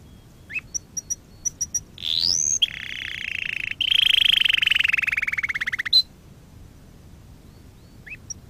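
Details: Canary song for training canaries: sparse short chips, a rising sweep, then a sustained lower rolling trill lasting about three seconds, followed by quiet.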